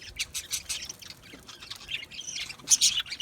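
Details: Budgerigars, small Australian parrots, chirp in quick bursts, sharp high notes spaced irregularly, then a buzzy warbled phrase and a few loud squeaky calls at the end.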